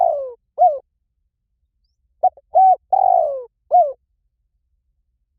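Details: Spotted dove coos used for luring wild doves: a long falling coo, then a short coo, a pause, and another full phrase of a clipped note, a level coo, a drawn-out descending coo and a short closing hoot.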